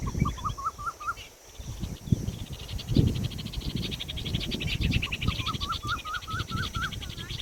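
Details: Peahen, an Indian peafowl, calling in two bursts of about six quick rising notes each, several seconds apart. A faint, rapid, high-pitched chattering runs between the bursts, with low rumble underneath.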